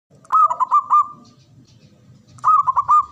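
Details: Male zebra dove calling: two phrases of rapid, clear, rolling coo notes, about five per phrase, steady in pitch, separated by a pause filled with a low background rumble.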